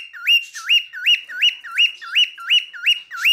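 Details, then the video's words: Male cockatiel repeating one rising, upturned whistle about two to three times per second, each note sweeping up then levelling off, very even and steady through the phrase; no other sounds heard. "Erkek Sultan Papağanı Sesi Ötüşü"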